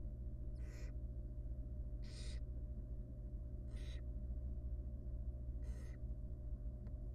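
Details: Four rough, hissing screeches about every 1.5 seconds from a wild barn owl nestling in a nest box, its mother feeding it a big rodent; a low steady hum persists underneath.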